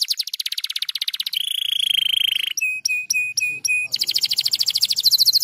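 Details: Stimulating canary song: a fast rattling trill shifts into a sustained rolling note, then several evenly spaced whistled notes, closing with another rapid high trill.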